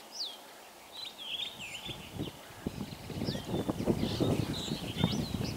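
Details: Common starlings in spring: high, clear whistles that slide down or loop, with scattered chirps over a strong low rumble and clattering background noise that grows louder midway.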